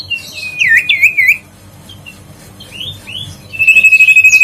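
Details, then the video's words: Huyt co bird, used to coax lazy birds into song: looping wavy whistles, a quiet pause with a few soft rising notes, then a fast, even pulsed trill at a steady pitch. "tiếng chim huyt co siêu sang chảnh"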